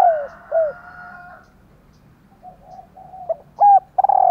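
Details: Female spotted dove calling so that males coo in turn: two falling coos, a quiet stretch with faint murmuring, then brisk short notes leading into a long, loud mellow coo.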